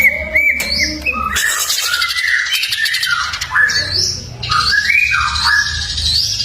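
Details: Greater green leafbird, full fill-in ('full isian') masteran song: bright sliding whistles and looping notes alternate with harsh, buzzy stretches and quick chirps in a varied, restless flow.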